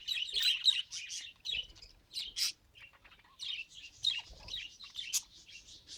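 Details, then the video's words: Talking attempt by a pet budgerigar: quick high chirps and scratchy warbled notes in uneven clusters, loudest at the start, continuing steadily throughout. "Budgie Tries to Talk… and Fails Adorably"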